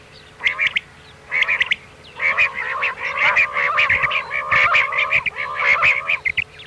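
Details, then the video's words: Common quail 'miankan' call used for hunting at night: two short nasal bursts, then a long, almost continuous stream of harmonic, slurred notes with sharp accents, over a faint steady hum. "Batair ki miankan wali awaz Raat k liye | quail sound for hunting"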